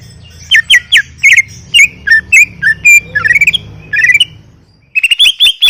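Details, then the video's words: Greater green leafbird song mixing sharp chirps, short whistles and quick trilled bursts, ending in a rapid set of high notes, with a low hum behind. "Full Gacor 40 menit CUCAK IJO"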